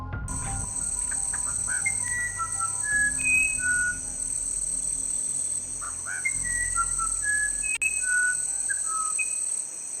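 Musician wren giving two runs of pure, flute-like whistles stepping up and down in pitch, over a steady high insect hiss and low background rumble.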